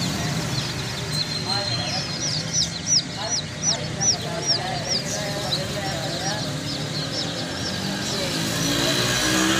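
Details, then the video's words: Young chickens peeping in a steady run of short, high, downslurred chirps, with a person talking and a low hum underneath. "chicks chirping sounds"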